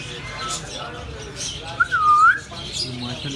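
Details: Parrot giving one clear whistled note that dips then rises in a short arc of about half a second, with faint speech in Hindi from people nearby.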